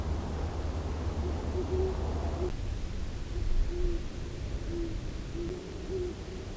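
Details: Great horned owl at Long Swamp Sanctuary picked up by an acoustic monitor: deep, muffled hoots in a slow uneven series, roughly five notes with short gaps, over low rumbling noise and hiss.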